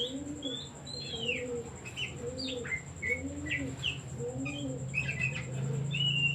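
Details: Oriental magpie-robin song meant to stir other birds to sing: quick varied whistled notes, some sliding down, over a dove's low repeated cooing roughly every second and a constant high-pitched electronic whine.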